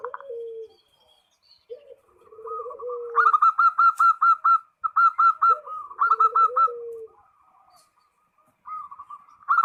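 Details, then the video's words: Perkutut used as a lure, calling a rival. Low sliding coos precede a long run of sharp staccato notes, about four per second. It pauses, then resumes briefly at the end. "SUARA PERKUTUT MEMANGGIL LAWAN"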